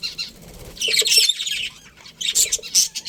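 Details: Budgerigars of a breeding colony chirping; soft chatter swells into a loud scratchy warbling burst, falls quiet, then returns with sharp squawky chirps.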